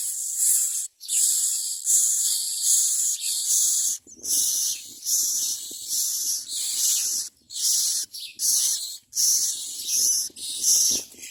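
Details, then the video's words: Common myna chicks begging as parents bring food: harsh, hissing bursts about a second long, repeated roughly every second in a steady series, with faint low rustling underneath from about four seconds on. "Common myna Birds bring food and the children are ready to eat."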